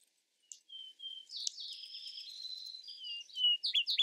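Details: A Vesper sparrow delivers clear level whistles followed by a jumbled, wavering run of high sweet notes, ending in a few sharp, louder chips.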